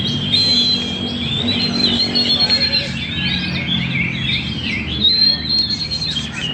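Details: Magpie-robin in full, lively song at Banjar Indah: long sustained high whistles broken by rapid twittering phrases, with other birds chirping behind and a low rumbling background.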